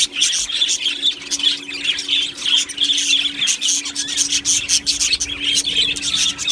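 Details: Many budgies, Australian parrots kept in an aviary, chirping and chattering together: continuous high twittering with short squawks and warbles, rising and falling in loudness, over a faint hum.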